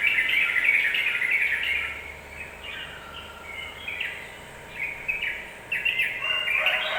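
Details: Provoking song of a yellow-vented bulbul meant to rile other birds: a loud chattering phrase, a softer stretch of scattered chirps, then sharp clipped notes returning near the end, over background hiss.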